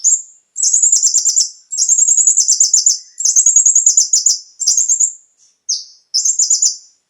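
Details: Konin (brown-throated sunbird) song used to make caged birds sing with a full repertoire: long, very high, rapid chattering trills in bursts about a second long, separated by short pauses, ending with a short descending note.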